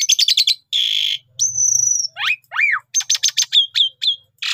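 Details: Javan pied starling song played as a trapping lure: fast series of high buzzy notes, a harsh rasping burst, a long thin steady whistle, then steeply falling slurred whistles and rapid clicking chatter.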